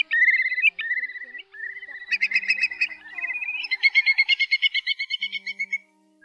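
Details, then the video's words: Whimbrel calls on night migration, recorded in August 2024 and used to lure birds into night nets: loud whistled notes followed by a fast rippling titter of evenly repeated high notes, slightly rising, lasting several seconds. "Tiếng Choắt Mỏ Cong Bé , Móc Còng Bé"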